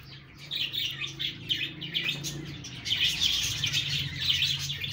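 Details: Budgie birds chirping: rapid high warbling chatter throughout, with a faint low hum underneath.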